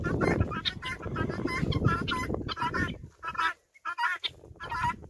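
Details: A flock of guinea fowl following a hen around a farm gives strident, rasping repeated calls, dense at first, then several separate harsh cries after a brief pause, over low-pitched rumble.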